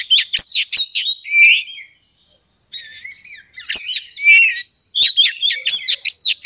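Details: Kacer, the Oriental magpie-robin, in a provoking song used to rouse an opponent to fight. Rich bursts of mixed whistles, slurred notes and scratchy chatter pour out, break off for a short silence, then return equally dense and lively.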